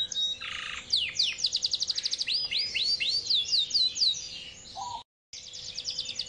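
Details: A Yorkshire canary sings long and sustained, as if seeking a rival, in a fast run of high rolled trills and sweeping whistled notes, broken by a brief gap near the end.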